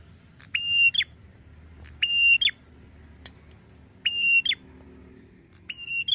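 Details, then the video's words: Red-headed prinia calling as a lure to provoke responses from other prinias, four level whistled notes with a sharp bent tail, roughly one every one and a half seconds, plus a single faint click in between. "PIKAT AMPUH BIKIN PRENJAK LAIN CEPAT RESPON BUNYI || PRENJAK KEPALA MERAH"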